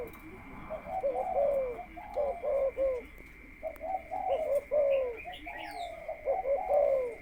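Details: Captive spotted dove being conditioned and taken out as a decoy before the breeding cage, cooing in repeated throaty phrases that slide downward, accompanied by faint chirps and a steady high whine.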